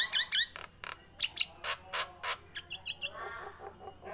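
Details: Tame Nias hill myna opening with paired bright downslurred whistles, then clipped knocking squawks at a steady pace and a rough, buzzing, wavering call at the close.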